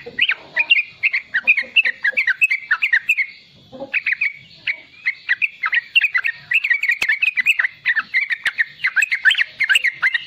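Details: Young sooty-headed bulbul singing its lively 'riwikan' chatter, kept to stir wild-caught and young bulbuls into song: rapid bubbly notes warbling between mid and high pitch in dense bursts, with a short pause near four seconds.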